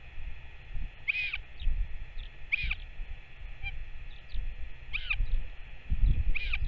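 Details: Northern royal albatross, parent and chick during feeding on 21 May 2024: four separate downward-curving calls spaced about one to two seconds apart, over a low, constant wind rumble.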